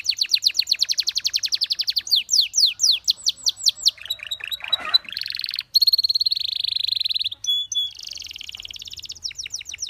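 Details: Belgian canary song for training canaries: fast trills of rising-falling notes, a buzzy rattle, long steady ringing tours near the top of the range, ending in rapid repeated chirps; no other sounds.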